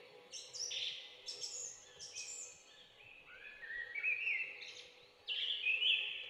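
A bulbul gives bright, liquid chirps and short rising whistles in loose bursts, ending in a louder, fuller phrase, over a faint steady background hum.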